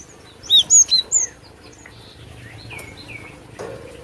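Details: Cinereous tit singing as a lure for trapping: four clear, high, down-slurred whistles in quick succession, followed by fainter lower whistled notes and a soft background hiss.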